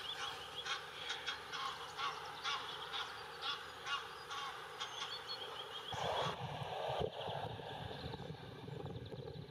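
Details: Egyptian geese on the bank of the River Main near Würzburg, Germany, give harsh, hoarse honks in quick, irregular bursts, about two a second, before a broad rush of wind or water noise takes over.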